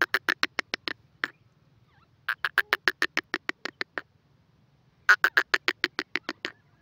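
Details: Three bursts of rapid, harsh clicking notes from a grey francolin, each lasting about a second, separated by short silences.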